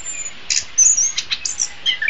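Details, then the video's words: Short burst of orange-headed thrush master song for training songbirds: high thin whistles and buzzy chirps in brief clusters, separated by short pauses. "SUARA BURUNG - Masteran Terbaik Anis Kembang"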